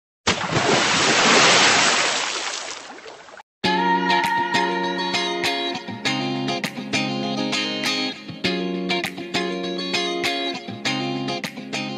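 A loud burst of splashing, hissing noise gives way after a short gap to plucked guitar music with steady strummed chords, and no animal voice is heard.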